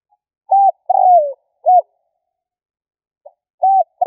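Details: Luring spotted dove: an arched coo, a long falling coo and another arched coo, a pause, then the phrase beginning again.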